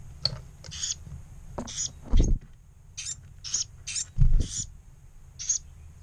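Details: Two surviving Carolina wren chicks from a disturbed nest in a pump-house, in early May, a few minutes after mealworms were set out, give high, scratchy hissing bursts in an uneven run, with a few low thumps and rumbles underneath.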